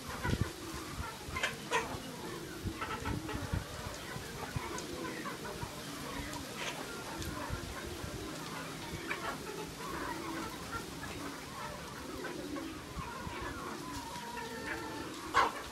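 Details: Free-range chickens on a farm raised on grasshoppers: a flock's soft, overlapping clucks and murmurs run through the whole stretch, with a few sharper notes near the start and end over steady background noise.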